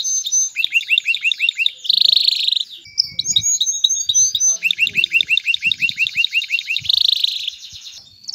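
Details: Male canary singing to stimulate a female to mate and build a nest: fast repeated rising slurred notes, then dense buzzy trills, with repeated phrases in rhythmic bursts and faint low thumps underneath.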